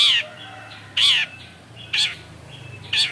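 Long-tailed Shrike giving loud, harsh, scratchy high notes, each sliding down, repeated about once a second with faint low hum between.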